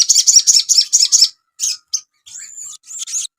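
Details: Asian pied starling master recording for cage-bird training. A fast series of about seven scratchy, buzzy notes is followed by isolated chirps and a drawn-out, level whistle.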